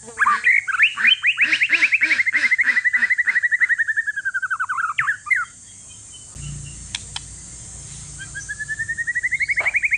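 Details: One-year-old male white-rumped shama of Aceh forest lineage, used to prompt reluctant shamas to sing: a fast rattling run of whistled notes sliding slowly downward, a quiet pause with two clicks, then a rising trill returns.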